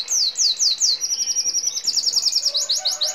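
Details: Red siskin singing a fast, high series of downslurred whistled notes, then a rapid metallic trill of repeated short notes about every tenth of a second.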